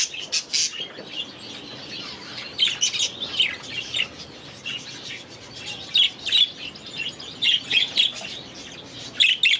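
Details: Last season's baby budgerigars, now grown, in their new aviary; clusters of quick high chirps separated by short quieter gaps, with soft background warbling.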